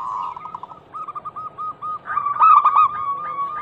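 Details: Zebra dove, a local bird described as a female calling the male, used as a lure for mute doves: a purring trill flows into spaced soft coos, then a louder, jerky rising burst.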